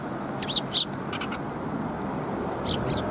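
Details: Sparrows at Tenmangu shrine on 13 December 2021: a few short, sharp high chirps clustered near the start and another near the end, over a steady low background rumble.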